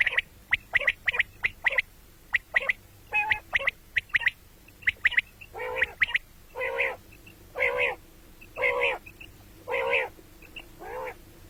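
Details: Common quail, sounds for morning and night: sharp, quick notes repeated in pairs and short bursts, mixed later with longer harsh, nasal squawks that recur about once a second.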